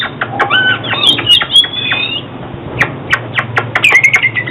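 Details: Oriental magpie-robin song used for trapping and song training: varied whistled phrases with sliding notes and sharp clicks, a long warbled stretch early on, then scattered ticks and a final rising whistle.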